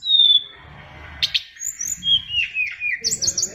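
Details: A caged Oriental magpie-robin of Bali stock sings a long, pure whistle, then a pause, followed by slurred, falling whistles and quick high chirping phrases, with a low hum behind.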